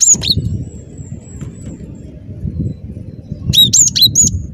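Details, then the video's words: Cinereous tit, a recording used as a lure, gives sharp, high whistled notes in two brief bursts, one at the start and a quick run near the end, over a steady low rumble. "Suara Burung Glatik Batu Gacor"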